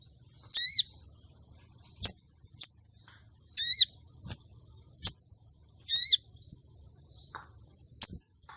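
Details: Female common iora calling to lure a male and bring him into breeding condition for contests: three buzzy, harmonic, down-slurred calls alternate with crisp high chips over eight seconds.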